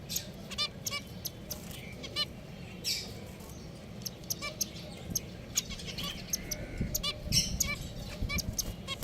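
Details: Pet finches exchange quick, honking beeps, some doubled, spaced unevenly, with faint chirps and soft low rumbling in the background.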